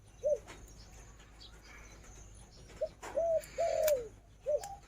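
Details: A female Spotted Dove kept as a decoy gives a lone short coo, then after a pause a phrase of short, arched and long falling coos, with occasional clicks and knocks.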